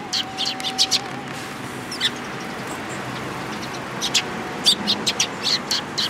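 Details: Eurasian tree sparrows at a Tenmangu shrine in Japan, 14 April 2022: bursts of short, bright chirps in quick irregular clusters, some doubled, pausing near two and four seconds, over steady background hum and a brief low tone at the start.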